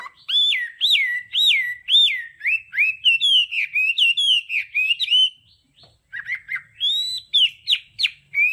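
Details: Hwamei voice-training song in đảo âm style: clear, strongly slurred whistles repeated about twice a second, then faster varied notes, a short silence and a renewed set of rising whistles.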